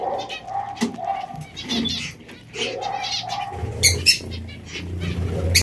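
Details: Zebra finches giving short, nasal, toy-horn-like calls, several in quick succession with pauses between, mixed with wing flutters, clicks and rustling.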